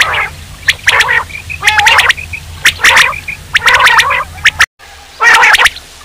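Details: Quail, called batair, producing a run of gargling, buzzy call bursts at about one per second, with brief high chirps between them and a low hum; there is a short dropout near the end.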